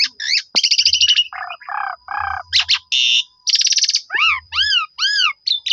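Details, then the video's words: Black-collared starling lure song for prompting rival starlings: buzzy trilled phrases, low rasping notes, a harsh burst, then a run of arched harmonic whistles and closing chirps. "JITU Memancing Jalak Suren Lain Langsung Bongkar Isian Nyaut Suara Panjang"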